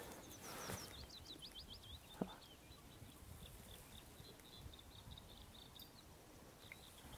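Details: Bluethroat singing in early summer at Fokstumyra, Dovre, Norway, where the species breeds in large numbers; a rapid run of high, varied chirps and trills, with possibly a second bird nearby and quiet wind.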